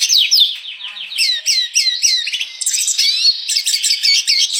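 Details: Red siskin in full 'gacor' song: repeated downward-sliding whistled notes, about four per second, merging into a rapid high twittering warble with sharp chirps.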